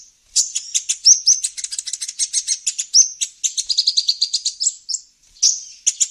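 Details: Olive-backed sunbird calls played to lure wild birds: rapid runs of thin, high chirps and short trills, with brief sweeping notes between them. The bursts run almost without pause over a quiet background.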